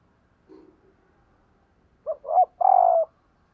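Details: A decoy spotted dove calls to bring in wild doves. Faint low murmurs come first, then one loud phrase of two short rising notes and a long, gravelly, falling coo.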